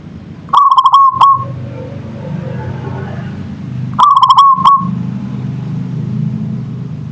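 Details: Local zebra dove singing in manggung style: two bubbling cooing phrases about 3.5 seconds apart, each a rapid stutter of pulsed notes ending in a held, even tone, over a low steady rumble.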